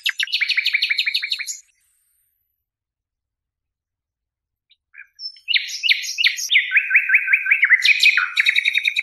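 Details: Nightingale song tape: a rapid run of repeated chirps, a silent gap, then varied whistles, buzzy slurred notes and a fast trill, finishing with more sharp repeated notes.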